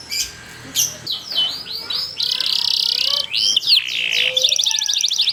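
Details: Canary giving a long rolling song meant to lure other canaries into singing: dense, high, rapid trills and buzzy rolls flow almost without a break, shifting between sweeping notes and fast rattles.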